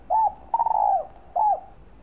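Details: Spotted dove cooing to excite and attract other doves: a level coo bending down at its end, a long wavering coo falling steadily, then a shorter falling coo, low and mellow against quiet background.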